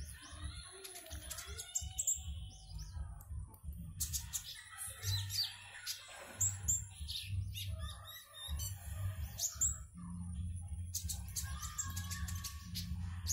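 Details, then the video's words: Konin kept in a cage in Singkawang, West Kalimantan, recorded for an online song contest: scattered shrill chirps and short trills over a loud continuous low rumbling hum that rises near the end. "LOMBA KONIN ONLINE 12 - Aksi KONIN"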